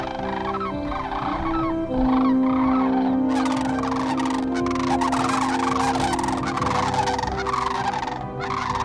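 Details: Many cranes launch into flight at sunset, calling at once: loud, rolling, trumpeting notes overlapping in a dense chorus, with steady low tones, likely music, underneath.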